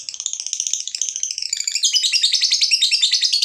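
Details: Lovebird fighter giving its long chattering ngekek song, used as a lure to set other lovebirds singing: a dense, rapid high trill of squeaky notes, rising slightly and speeding up in the second half.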